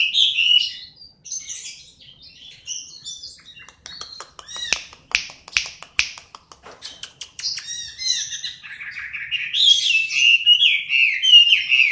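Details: Chinese hwamei singing: a varied, loud run of high whistled phrases, slurred and rising-falling notes, a middle stretch of sharp clicking and tapping notes, then a rich warbling flourish at the end.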